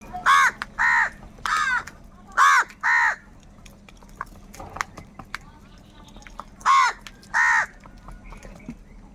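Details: Crows calling loudly, described as fighting for food: harsh, nasal caws in pairs, two at about half a second, another pair near 1.5 and 2.5 seconds, a final pair near 7 seconds, with faint background clicks and a low hum between.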